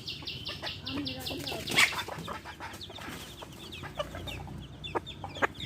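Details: Hen with baby chicks: a series of high, evenly spaced peeping chirps from the chicks at the start, then scattered chirps and clucks over steady low background noise.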